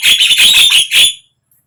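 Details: Javan myna, sound used to get a silent bird singing: one loud, continuous grating burst of harsh chatter for about a second, then silence.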